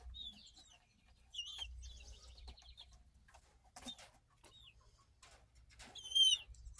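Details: Pair of chicks of uncertain breed, hatched 5.3.2023, filmed July 24, 2023, giving scattered thin, descending peeps and brief chirp runs, with a louder clear peep near the end and faint rustling.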